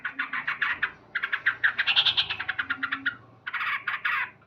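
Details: Male sooty-headed bulbul in vigorous morning song, a rapid stream of short chirped notes with a brief gap before another fast, dense cluster of chirps.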